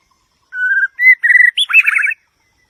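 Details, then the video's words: Song of a White-rumped shama: a steady whistled note, then two short clear whistles and a burst of rich, rapidly warbled, rising and falling notes. "เสียงนกบินหลาดง, White-rumped shama Song."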